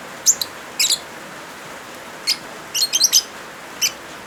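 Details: Lovebird chirping over rain, used to coax non-singing birds into voice: bright, squeaky high chirps in quick doubles and triplets, with a denser burst near the end, on a background of continuous rain.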